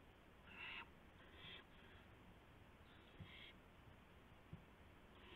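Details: Owl at night, 12:25 AM on April 7, 2016, around a gopher delivery with flapping and pouncing: several harsh, breathy hisses of about half a second each, spaced irregularly over steady background noise.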